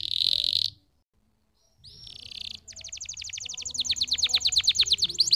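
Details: Canary song opening with a loud buzzy burst, a pause, a short whistled note, then an accelerating series of rapid repeated high chirps growing louder.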